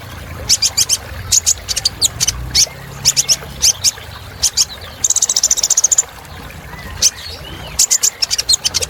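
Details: Kolibri ninja sunbird used as filler song for cage birds: irregular bursts of very high, sharp chips with a brief buzzy trill in the middle, over faint low rumble.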